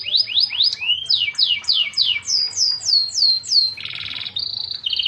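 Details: Canary singing vigorously (gacor): a run of loud, repeated downward-sweeping whistles about three per second, then a harsh buzzy rattle and short trills.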